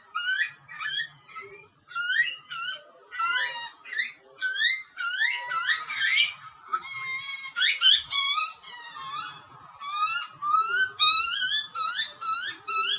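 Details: Australian wild butcherbird nestling screaming for food during feeding by its parents; repeated harsh upslurred screeches about two per second, with a noisier scratchy burst midway and a clear whistled call near the end.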